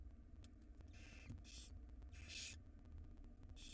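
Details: Wild barn owl chicks begging while fed a jird by their mother: several raspy hiss bursts of varied length, one long and loud near the middle, set against a persistent low hum.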